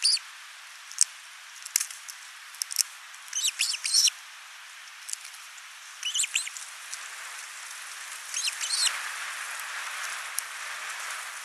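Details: Finnish osprey nest camera, 29 June 2024: the male brings a big live fish, the female feeds the single chick. Clusters of high whistled, arching notes appear among clicks, followed by a rising rushing noise toward the end.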